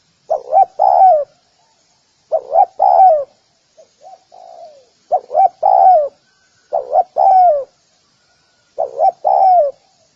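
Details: Spotted dove calling to lure wild doves: deep three-part cooing phrases, a short double coo then a longer falling coo, repeated about every two seconds, with a soft lower coo in one gap.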